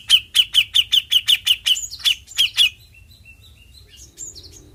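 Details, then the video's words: Bearded bulbul, cucak jenggot, singing besetan: a steady series of loud, clipped chip notes about three a second, fading into faint, scattered soft whistles. "Suara Besetan Cucak Jenggot"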